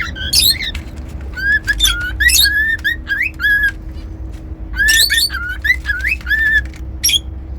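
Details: Pet cockatiel whistling in lively phrases of steady and rising notes, separated by loud harsh squawk bursts, with a low hum throughout.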